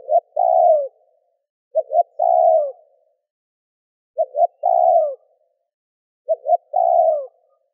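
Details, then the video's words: Spotted dove's luring call aimed at wild doves: four phrases, each two quick low notes followed by a longer coo that sags at the end, spaced about two seconds apart; no other sounds. "Cu gáy gù - thúc - gáy gọi kích bổi nhanh nổi"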